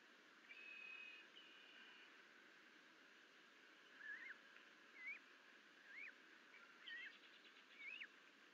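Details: Osprey at its nest on 30 June 2022, the morning a live duck was delivered as prey; a couple of flat whistles, then a series of short, sharp rising chirps about once a second over steady background hiss.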